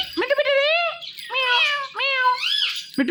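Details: Ringneck parrot mimicking 'meow' while watching himself in a phone: three or four drawn-out nasal meow-like calls, gently arching in pitch, with short gaps.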